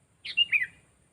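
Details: Sooty-headed bulbul trained for use as a lure bird, described as bold with a loud, clear, sharp voice; one brief gurgled phrase of three quick, slightly descending whistled notes.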